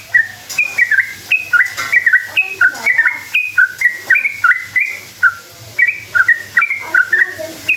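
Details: A sooty-headed bulbul sings its rolling lure song, meant to make other bulbuls call back: a steady stream of short, fluty whistles jumping between two or three pitches, a few quieter notes beneath.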